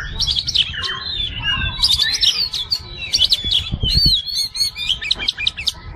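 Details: Oriental magpie-robin (kacer) masteran song: ringing whistles mixed with harsh squawky notes and rapid chips, with some low thumps and a background hum.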